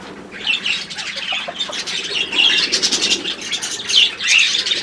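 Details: Several pet budgerigars twittering together, steady overlapping high chirps and rasping squeaks that swell in bursts about every second.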